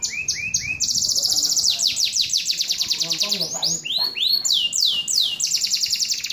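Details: Energetic canary song: rapid high falling sweeps, lower repeated chirps at the start, then dense trilled runs and looping, arched notes. Soft low murmurs are heard underneath.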